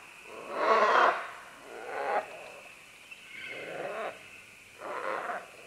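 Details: Green-winged macaws, several of them, descending along vines at medium-close to medium distance. Four rough, grating squawks follow one another about a second apart, the first loudest, the later ones softer, over a low background hiss.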